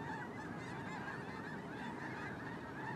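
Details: Brief stretch of a huge migrating snow goose flock: steady, dense overlapping honking from many birds, with no pause in the crowd noise.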